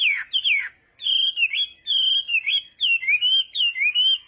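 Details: Chinese hwamei in morning voice-training song: clear, rolling whistled phrases of swooping notes, delivered in short groups with tiny gaps between them.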